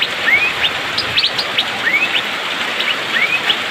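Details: Asian fairy-bluebird singing energetically during the rainy season. Clear upward-sliding whistles repeat about every one and a half seconds, mixed with quick sharp chirps, over a constant rain-like hiss.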